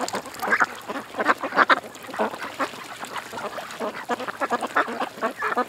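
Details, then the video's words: Ducks at a creek quacking in a busy, overlapping chorus, harsh nasal calls coming several per second with loud peaks around 0.5, 1.3 and 1.7 seconds, over constant background chatter. "Ducks At The Creek"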